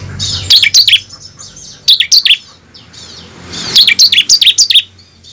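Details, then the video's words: Bar-winged prinia singing as a lure to make caged prinias sing: rapid runs of high, piercing chirps, three bursts of four to eight quick notes each, separated by short pauses. "pancingan ciblek ampuh mempercepat ciblek gacor dan ciblek ngebren"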